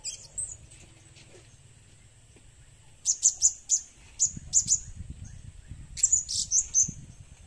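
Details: High, piercing squeaky notes from a blue-crowned hanging parrot, used as a lure, delivered in spaced single chirps and then a dense cluster, with low rumbling noise in the background.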